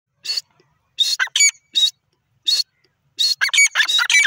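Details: Grey francolin calling in loud, harsh bursts of clustered high notes, a short phrase, pauses, then a faster run of ringing notes tumbling together near the end, with clean silence between bursts.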